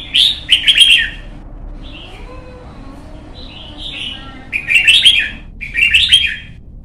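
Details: Red-whiskered bulbul chick being trained to sing competitively delivers loud buzzy warbled bursts at start and end, with softer slurred whistles between, about four phrases in seven seconds over faint background hum.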